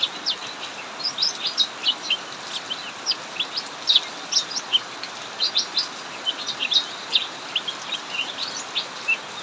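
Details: Cucak mini, caged in an aviary, sings steadily through a heavy downpour: sharp, high, rapidly repeated chirps and short trilled phrases, with the broad rushing noise of rain throughout.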